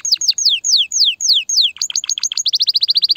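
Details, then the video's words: Excited canary singing to prepare females for mating: several sweeping downslurred whistles repeated about twice a second, followed by quick chips and a fast high trill. "تغريد كناري هائج , لتجهيز الاناث على التزاوج , و بناء العش فورا"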